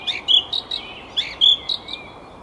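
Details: Song thrush singing in May 2021 at Tsaritsyno, Moscow, Russia: short, sharp, high whistled and chirpy notes, some repeated in quick pairs, in a brief phrase with quiet background.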